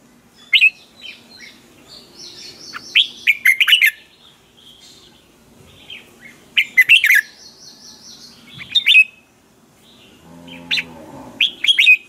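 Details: Red-whiskered bulbul singing in the morning as a training decoy for other bulbuls: several phrases of sharp, warbled, whistled notes in bursts, with thin background chirps and a brief low buzzing rattle near the end.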